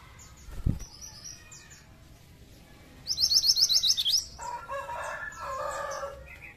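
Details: Pied triller song used as a lure for other pied trillers: a loud, fast trill of about eight high, sharp notes lasting one second, then a lower, harsh, rooster-like sound. A soft thump is heard early on.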